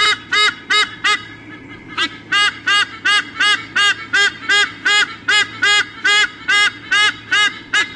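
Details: Loud squawkathon from a male and female eagle before changing over on the nest, Sydney Olympic Park, Australia, 3 August 2014, nest cam: a short gap, then nasal honks pulsing about three times a second without pause.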